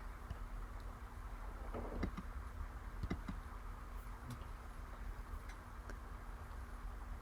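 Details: Scattered ticks and clicks over a steady electrical hum and low background noise, without any animal sounds.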